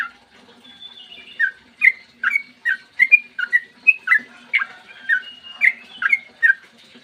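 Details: Morning song of a Yellow-vented bulbul, a long rapid lure meant to make other bulbuls sing: gurgling slurred whistles, one or two a second, rising and falling in quick succession after a brief thin opening note.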